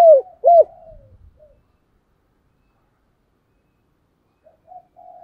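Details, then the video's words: Thúc gù cooing of a decoy spotted dove: two loud, hooked, mellow notes open the phrase and trail into a soft falling coo, then silence and a faint distant answering phrase. "cu gáy thúc gù, sung và rất căng// tiếng cu gáy mồi chuẩn"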